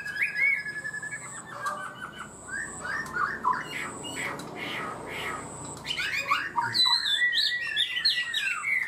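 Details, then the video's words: Chinese hwamei kept as a cage bird, singing 'cao cầu' style: harsh scratchy bursts and clicks first, then a lively stream of clear whistled slurs and quick trills, over a faint background hum. "Chim họa mi hót cao cầu, ra mỏ nhanh ổn định"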